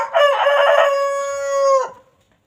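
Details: Free-range chicken on a peaceful farm, roaming and grazing on fresh grass in the countryside; a single loud crow, a harsh rasping start that settles into a long, steady, slightly falling note lasting about two seconds, then a clean drop to silence.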